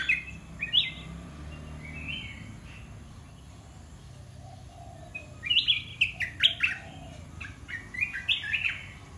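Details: Red-whiskered bulbul kept in a cage, mixing Dok Taeng and Ta Daeng song styles: a few quick warbled notes, several seconds of quiet, then a lively run of clear chirpy phrases against a low rumble.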